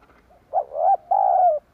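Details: Lure sound of a spotted dove: a brief clear phrase made of a swelling coo, a brief break, then a longer smooth note that falls away at the end.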